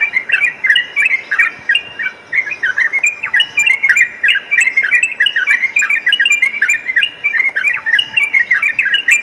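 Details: Yellow-vented bulbul singing at night, used as training audio for a kept fighter bird. A continuous stream of chattering, bubbling phrases rolls on without pause, packed densely and fairly irregular, over a faint hiss.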